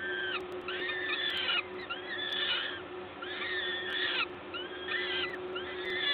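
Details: Peregrine falcon feeding at the Gdańsk LOTOS nest, Poland, 14 May 2022, 11:07: bursts of harsh, arching wails in clusters roughly every second, over a steady hum.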